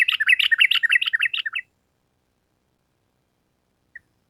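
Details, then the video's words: Sooty-headed bulbul delivering a rapid run of song as a tutor and lure recording. A quick series of rising and falling chirps repeats for over a second and a half, then silence with one faint note. "Pancingan Trucukan Gacor Ampuh Untuk Masteran Burung Trucuk Supaya Cepat Nyaut Bunyi Ropel Panjang"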